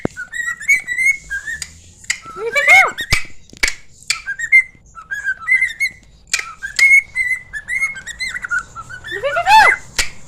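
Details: Pet cockatiel whistling in imitation of its owner: short clear whistled phrases rising to a high steady note, repeated every second or so, with two louder upward-sweeping whistles and a few sharp clicks.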